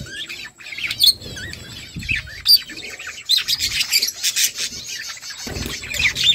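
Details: Flock of budgies chirping while eating: busy, scratchy warbled chatter with sharp high squeaks layered over one another, almost without pause.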